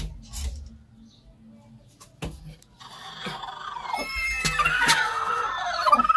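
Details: A hen kept in a coop on a house roof breaks into drawn-out, wavering squawks, rising and falling in pitch, after the coop door clatters open amid handling noises.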